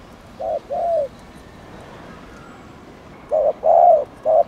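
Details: Spotted dove cooing to excite other doves: one short-long pair of soft low coos, a pause of about two seconds, then a short-long-short burst of hooting notes.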